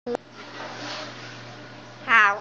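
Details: Chubby Chichoy, a pet myna, mimics "How are you?" in the fast version: brief, harmonic voice-like bursts, a clipped note at the start and a rising, nasal phrase near the end, over a steady indoor hum.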